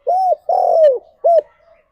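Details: Spotted dove song meant to stimulate pet doves: three clear hooting coos, a short arched note, a longer drawn-out falling coo, then a short arched note, loud and clean.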